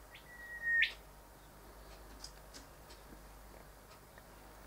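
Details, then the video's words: Male Rufous Whistler at a bedroom or bathroom window, admiring his reflection, delivers a single sustained whistle ending in an upward whip, followed by faint scattered ticks and quiet background. "The Rufous Whistler"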